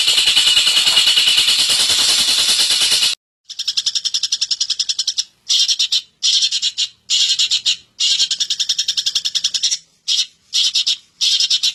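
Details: Long-tailed shrike song: an opening burst of dense high hiss, then rapid runs of sharp high clicks and chatter in short bursts separated by brief silences.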